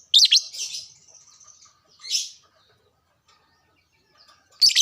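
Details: Lovebird song played to excite caged lovebirds into singing: a shrill rasping burst opens, then a thin trailing note, a second short scratchy burst near two seconds, quiet, and a final harsh outburst at the end.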